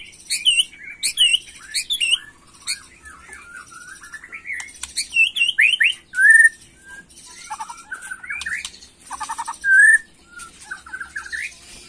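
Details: White-rumped shama in an agitated macul-style song meant to provoke young birds. A long, varied run of rising whistles, rapid chatters and clear sweeping notes, with quiet gaps between phrases.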